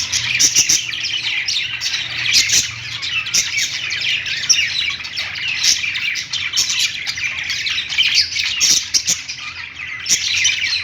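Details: A group of budgerigars on a perch in a pet store keeps up a steady, unbroken warbling chatter of thin chirps and squeaks, with occasional sharper calls standing out.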